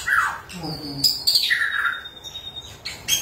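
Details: White-rumped shama singing as a lure for shamas that have gone quiet: low fluty notes, a falling slur, a high pure whistle held for over a second, then sharp accents.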